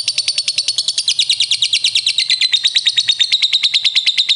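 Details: Lovebird (prospek, young bird in training) answering another lovebird with a long ngekek song: a fast, harsh, rapidly repeated chatter of about three notes per second, high and buzzy, dropping slightly in pitch midway and continuing steadily.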